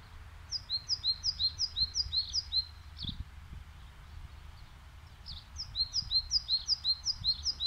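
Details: Spring birdsong recorded in April 2021 in Gomel, Belarus: rapid series of high, clipped double notes repeated several times a second, two phrases separated by a pause, with low background hum.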